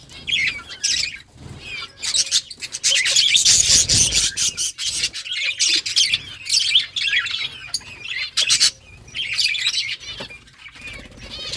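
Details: Colony of colorful budgies playing during the summer breeding season in August: dense overlapping high chirps, warbles and squawks from many birds, in bursts separated by short pauses.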